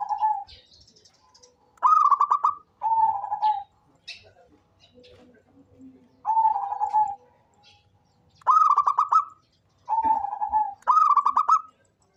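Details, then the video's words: Frequently calling local zebra dove used as lure sound, repeating its phrases with short pauses: bursts of rapid, staccato cooing notes slide into sustained mellow tones, with about six phrases over twelve seconds. "SUARA perkutut LOKAL gacor cocok buat pancingan rajin bunyi"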